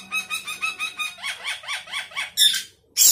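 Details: Sooty-headed bulbul singing a busy fill-in song meant to beat opponents: a fast run of about ten evenly spaced rolling notes, ending in two abrupt, very high, harsh bursts after a short pause.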